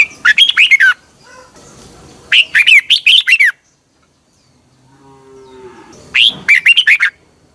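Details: A red-whiskered bulbul sings in the morning for training: three quick bursts of loud warbled notes, with a low drawn-out tonal call, like a distant animal, in a pause between phrases.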